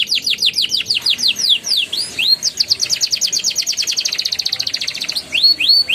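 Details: Young canary delivering a rolling song to prompt silent canaries: hooked falling notes, then a long dense trill that speeds up, closing with a pair of upswept whistles.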